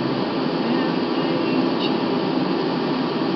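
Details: Steady mechanical hiss and hum, like air conditioning or a train interior, with no animal calls.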